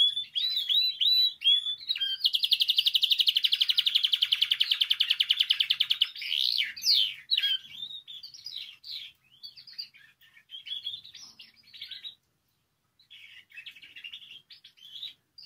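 A Spanish Timbrado canary sings fast, high metallic rolls and trills, with a long rapid rattling tour, then quieter chirpy phrases.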